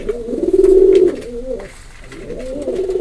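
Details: A pigeon gives a long, low, purring coo that glides slightly, then a quieter second coo begins after a short pause.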